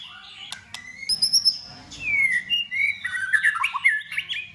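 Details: White-rumped shama singing in competition style in cold season: clear whistled slurs, rising and falling notes, then a rapid series of varied chirped phrases, with a few sharp clicks early on.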